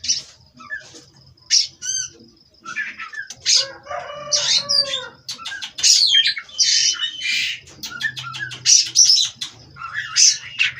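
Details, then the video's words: Captive-bred Oriental magpie-robin of Cirebon lineage in a long varied song of harsh bursts, whistles and rapid chatter, with a rooster-like crowing phrase mid-sequence and a steady high tone behind. "Terapi Burung Kacer Agar Stabil di Pedok"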